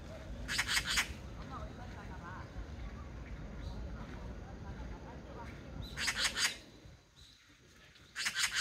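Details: An Oriental magpie in Korea gives three harsh, rapid chattering rattles, each about half a second long, over a steady low rumble of background noise.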